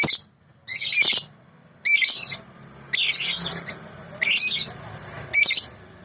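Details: Sooty-headed bulbul with a clear, natural-sounding voice, in a recording made for training other birds. Harsh, high, buzzy bursts, each about half a second long, come roughly once a second with quiet gaps between them, over a faint low hum.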